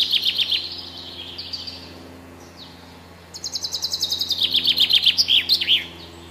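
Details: Common chaffinch (Fringilla coelebs): the close of one phrase, a quiet pause, then a full song of fast repeated notes that tumble downward and end in a flourish, over a low steady hum.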